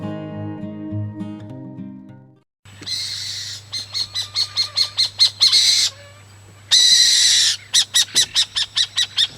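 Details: Burrowing owl of open areas in Argentina, often seen on the ground by day, giving harsh, rasping screeches in quick bursts of about two or three a second, after a short stretch of music, over a low steady hum.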